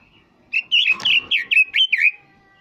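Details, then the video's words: Two-year-old red-billed leiothrix delivering a short, bright song phrase: about seven fluty, slurred whistles in quick succession, each bending up and down, over a faint background hum. "Chant rossignol du Japon"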